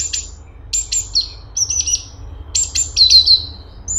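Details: Grey-cheeked bulbul (cungkok) singing in lively, dense bursts. High, thin whistled notes slide downward, broken by short buzzy chatters. Bursts come in groups separated by brief pauses, over a faint low hum.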